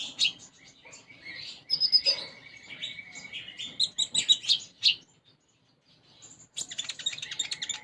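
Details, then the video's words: Sunbird singing actively, its song filled with sparrow-like phrases (isian gereja): dense, high chirps and twittering notes, a thin sustained whistle near two seconds, a brief pause, then a fresh burst of rapid twitters. "Konin Gacor Isian Gereja"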